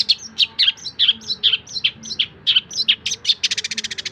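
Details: Varied chattering song of a long-tailed shrike, for tutoring other songbirds: quick mixed chirps, slurred whistles and downward notes, then a fast rattling trill, with a faint low tone in the background.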